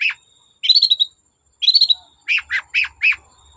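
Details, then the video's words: Long-tailed shrike singing to stir other shrikes into song: two short warbled phrases, then four evenly spaced chirps. "Burung cendet gacor Bikin cendet bahan terpancing ikut gacor"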